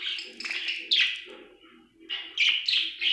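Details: A happy budgie chirps in quick bursts of bright, slurred notes, pausing briefly mid-clip before resuming with sharp rising tweets over a soft low hum.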